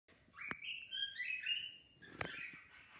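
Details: Comet, a pet cockatiel (Nymphicus hollandicus), singing: a warbling, wavering whistle that slides and breaks between notes, then a rougher phrase, with two sharp clicks and faint room noise.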